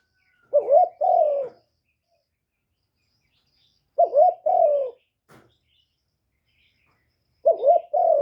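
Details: Cooing spotted dove used as a lure to excite wild doves, clean live recording. Three separate phrases arrive roughly three and a half seconds apart, each a short wavering coo followed by a longer steady one that slides downward.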